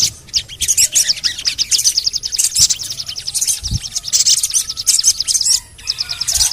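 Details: Sogon calls used as a lure to make other sogon birds sing: rapid, very high chattering chirps in quick bursts, nearly continuous, over a faint low hum.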